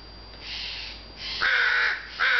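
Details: Crow on a sunny early June afternoon, with faint background rasping followed by one loud, harsh caw lasting about half a second and the start of another.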